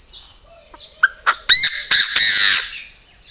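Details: Purebred Chinese francolin calling at a bird farm in Vân Hòa commune, Ba Vì, Hanoi, Vietnam: a few short clicks and sharp notes build into a loud, harsh, ringing series of harmonic cackles lasting about a second, then quiet.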